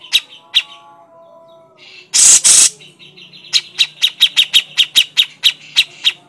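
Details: Grey-cheeked bulbul (cucak jenggot) giving its crecetan chatter: a run of sharp, dry, clicking notes repeated about three times a second after two early notes, broken by a loud harsh rasping burst.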